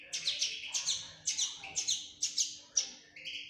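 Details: Young linnet, a fledgling, giving quick paired chirps, bright and falling in pitch, roughly two per second, ending with a softer lower note.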